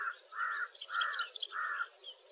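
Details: A White-browed wagtail in India gives a quick run of about seven high, sharp chirps in under a second, over a steady high insect drone and lower pulsing buzzes.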